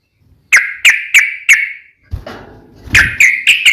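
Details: Sooty-headed bulbul (trucukan) singing in the nembak ropel ngeplong style: four evenly spaced, sharp whistled notes about a third of a second apart, a brief low rustle, then more quick notes.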